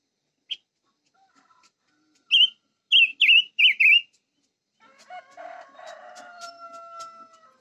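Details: Short high chip, then a burst of four loud, wavering whistled notes from a silver-eared mesia, followed by a lower, drawn-out humming sound for the last few seconds.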